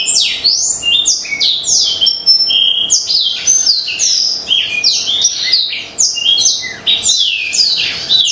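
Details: Black-throated canary song for training birds to sing, a fast continuous stream of high, varied whistled and slurred notes with rapid down-slurs and trills, packed densely without pauses, loud and clear throughout.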